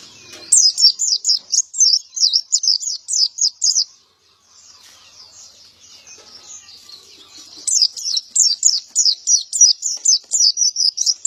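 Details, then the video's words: Gacor male pleci, or white-eye, in ngalas ngeplong style, delivers long runs of rapid high chirps, roughly three or four per second, then a softer twittering pause before another energetic burst. "Burung pleci gacor jantan"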